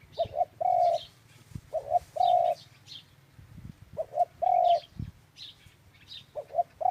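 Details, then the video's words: Dove giving its cooing phrase four times, a short double note then an extended steady coo, with even gaps between. There is low-pitched background hum and light chirping from other birds. "Tiếng chim cu chuẩn"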